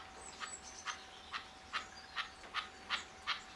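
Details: Red-legged partridge wandering in front of a hide at The Lodge reserve, Sandy, UK, on a wet March 2012 morning. It gives a series of harsh, short, chuffing notes, about two or three per second, with a steady faint hum behind.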